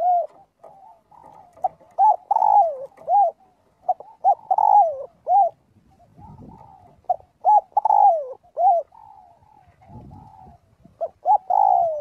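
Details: Spotted dove calling its flock during daily voice practice: repeated phrases of short cooing notes, each ending in a long falling coo, with faint softer coos between the phrases.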